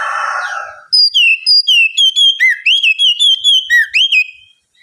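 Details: Oriental magpie-robin singing in the relaxed ngeplong style, used as a lure to coax birds reluctant to sing into answering: a burst of rough noise, then a run of loud clear whistled notes, each sliding down, repeated quickly in an even series.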